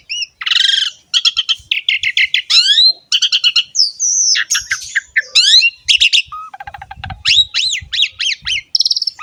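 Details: Dense, nonstop song of an Asian pied starling for training other songbirds: harsh rattles, buzzy bursts and rising and falling whistled slurs packed together.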